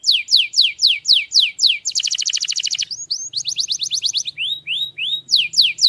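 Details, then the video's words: Vigorous singing by a canary: repeated high downward-slurred notes, then a dense fast trill, a second quicker trill, and upward-sweeping whistles before the descending notes return. A faint low hum runs underneath. "chim hoàng yến hót mạnh mẽ"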